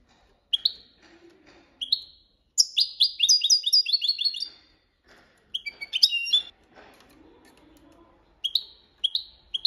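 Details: Goldfinch performing the copia malaga training song: sharp rising chip notes, then a rapid rolling trill of liquid twittering, a pause, more tinkling bursts and spaced upward chips, recorded close in a quiet setting.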